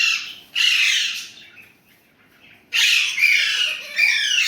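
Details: A pet Rose-ringed (Indian ringneck) parakeet talking in Urdu/Hindi gives two loud, harsh bursts of raspy, speech-like chatter, each about a second or more, separated by a quiet pause.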